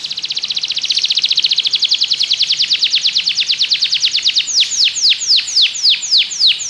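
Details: A Belgian canary sings for canary training: a long run of quick, evenly repeated high notes that later slows into spaced, sweeping downward notes.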